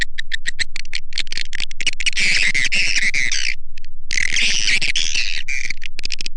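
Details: Swiftlet lure call played to attract swiftlets for swiftlet farmers in Indonesia: a fast, steady run of sharp chirps, about three to four a second, swelling into dense buzzy twittering bursts with a brief pause midway.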